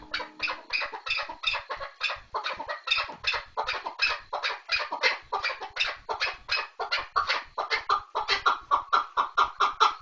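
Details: Chukar partridge calling loudly in a fast, insistent series of raspy clucks that keeps accelerating, notes crowding together toward the end, rough and chattering throughout.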